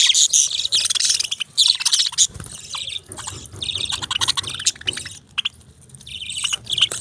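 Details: Budgerigars chirping: dense, rapid high chatter of clicks, twitters and short buzzy notes, many overlapping calls with brief pauses, loudest near the start and end.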